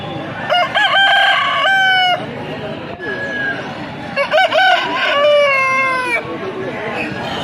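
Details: Aseel rooster crowing at a local pet market: two full crows a few seconds apart, each opening with stuttering notes then a long, level, strongly harmonic held tone, amid constant chatter of people and market bustle.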